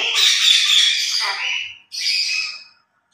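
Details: Two pet grey parrots during a noisy morning play session give two harsh, hissing squawks, the first long and grating and the second shorter after a brief pause.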